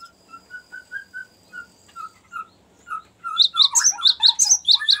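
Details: Cinereous tit long rolling song used to lure birds and train others: soft, spaced, low whistled notes first, then a sudden loud, fast string of high ringing chirps.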